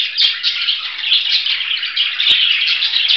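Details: Budgerigar chattering steadily with rapid, overlapping squeaky warbles and short chirps, punctuated by a few sharp clicks.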